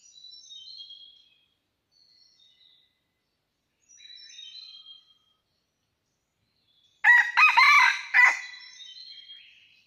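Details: Red junglefowl, wild, in rocky hills during trapping, 17 March 2019. Soft high whistled calls of other birds come and go before a sudden loud, rough, stuttering crow near the end.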